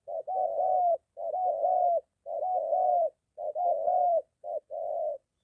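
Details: Spotted dove recorded close near a home, with a molting decoy meeting a wild bird; loud rolling coos in five phrases, each a brief note running into a longer wavering one, in otherwise silent surroundings.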